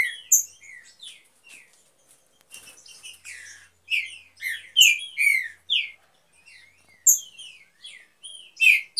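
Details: Breeding pair of green-winged saltators in an aviary: continuous chirping made of quick downslurred whistles and high tweets, growing louder and denser in the second half, with strong falling notes about every half second.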